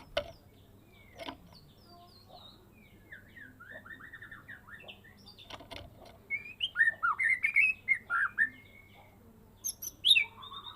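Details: White-rumped shama of the Medan type, a cage bird raised from fledgling, in full 'isian' song: soft scattered notes and clicks, then a burst of loud ringing whistles, sharp down-slurs and a high final flourish.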